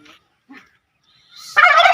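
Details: Turkeys: a few faint, brief notes in the first half, then a loud, rough, rapidly pulsing burst that starts after one and a half seconds and runs to the end.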